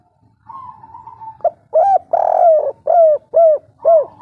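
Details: Spotted dove with a local natural three-note 'kuk 3' voice, used to lure other doves into calling; a soft low trill opens, then loud deep coos repeated about every half second, with a faint low rumble behind.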